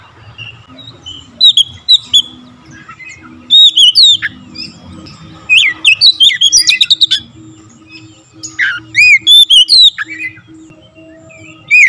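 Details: Rapid, tightly fired song of an Oriental magpie-robin showing full variation of fill-ins: clusters of bright whistles, buzzy chips and looping upward sweeps, separated by brief gaps, with faint low background hum.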